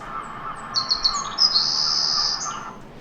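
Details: Wild banded male Savannah Sparrow on a Bay of Fundy island singing a learned song closely matching an experimental tutor stimulus: a few short high chips, then a long thin sustained buzzy trill, with a steady low hum beneath.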